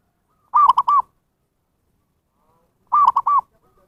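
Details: Zebra dove call for luring wild birds: two identical phrases of three fast, clear cooing notes, separated by about two and a half seconds of silence.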